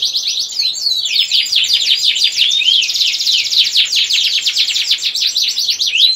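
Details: Domestic canary in loud, continuous 'gacor ngerek' song used to stimulate breeding desire in females and young males: rapid high trills and rolling chirps, interspersed with rising and falling whistled sweeps, with no pauses.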